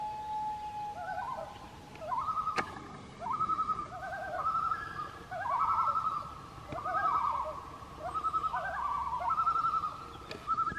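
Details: Loon parents calling on Silver Lake, Vermont, while their chicks eat fish: quavering, wavering tremolo phrases repeated in bursts about every second or two, with faint background hiss.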